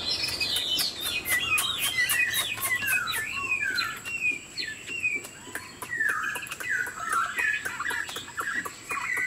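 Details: A tame caged Chinese Hwamei sings with wing display and head-nodding, pouring out varied rich whistled phrases that swoop up and down, some slurred and bubbling, under scattered dry clicks.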